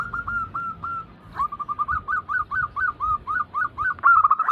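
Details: Zebra doves heard in a massed lure recording: evenly spaced curved coos at first, then a steady string of about four notes a second, closing in a dense rolling trill.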